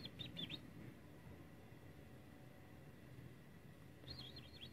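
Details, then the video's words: A kept European greenfinch, described as a stuttering singer, gives two brief bursts of high, rapid twittering, one at the start and one at the end, over a steady low background rumble. "FLURYA KEKEME KUŞ YELVE"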